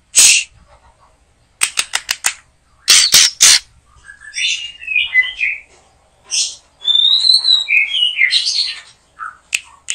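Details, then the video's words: White-rumped shama in a backyard where birds are being trapped. Loud harsh rasps and clicking bursts, followed by scratchy warbled phrases and thin high whistles. "Mikat Burung Murai batu,,Sudah gacor dorrr"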